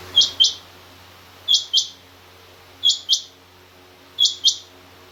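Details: A female rain quail calls in crisp doubled notes, high-pitched and abrupt, each pair repeated at steady intervals of roughly one and a third seconds; the background is quiet.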